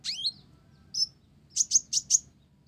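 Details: Actively singing olive-backed sunbird with Java sparrow material: a downslurred double note, one sharp chip, then four rapid, evenly spaced piercing high notes, over low background hum.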